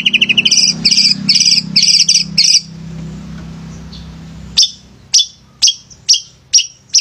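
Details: Male long-tailed shrike, a song lure for reluctant shrikes: paired raspy chattering bursts over a low hum, a quiet gap, then single sharp high chirps about every half second.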